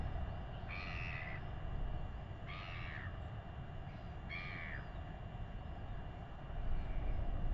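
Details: In New Zealand, a royal albatross chick receiving food from its father during a weighing gives four short, wavering nasal calls spaced about a second or two apart, with a continuous windy rumble beneath.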